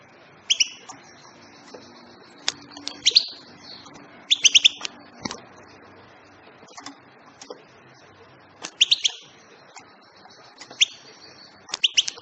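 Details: European goldfinch giving tweets: clipped, high, rising notes, often doubled or tripled in quick bursts, then gaps of one to three seconds. A few soft clicks and a low hum sit behind the calls.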